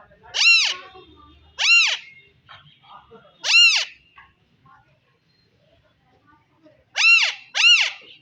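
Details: Alexandrine parakeet giving loud, harsh arched screeches, each a rising-then-falling rich harmonic call; five calls spread over eight seconds, two pairs close together, with faint soft chatter between them.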